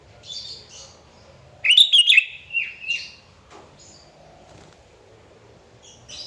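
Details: Sooty-headed bulbul (kutilang) singing vigorously to draw rivals into song: faint chirps, then a loud rich phrase of bubbly whistles followed by two descending slurred notes and scattered soft chips.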